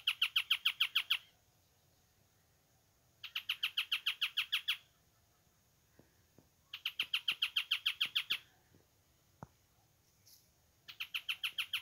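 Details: A hidden male Ochre-flanked Tapaculo singing at Mallín Ahogado, El Bolsón: fast bursts of about a dozen harsh, scratchy notes lasting just over a second, repeated every three to four seconds, with faint clicks between phrases.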